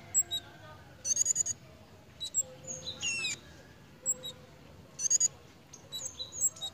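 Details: A pied fantail in breeding condition gives two brief bursts of quick, high squeaky notes among scattered thin chips, with a fast falling squeal and other faint bird sounds nearby.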